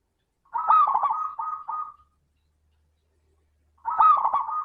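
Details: Zebra dove, a local perkutut with a 'crystal' voice, sings as a lure to prompt other doves to sing: a burst of rapid, bubbling coos with a warbling trill, then silence, then the phrase begins again. No other sounds.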